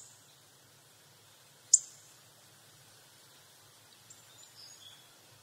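A Hawfinch gives a single sharp, very high 'tic' call, followed later by a few faint thin notes over a quiet, low background hum.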